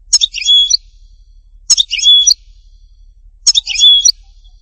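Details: European goldfinch singing at Htatba, Tipaza: a short high phrase repeated three times about every 1.7 seconds, each a fast twittered burst ending in a clear level whistle, with silence between.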